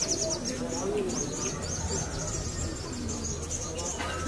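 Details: A young male-type sogon trotol in its competition debut, winning second place at a PSI Cilacap anniversary contest, sings loud runs of thin, high chirps and short whistled trills almost without pause, over a low hum and faint voices.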